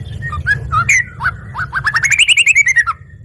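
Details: Yellow-vented bulbul singing energetically and responding immediately: scattered slurred chirps give way to a fast, rising run of roughly fifteen clipped notes that speeds up, then eases off, with a faint low hum.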